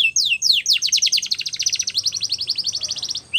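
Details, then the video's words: Belgian canary singing, a recording meant for training young canaries: high downslurred whistles open the phrase, then a long, fast rolling trill of crisp repeated notes, about four per second blurring into a continuous rattle. "Belgian Canary Singing For Training"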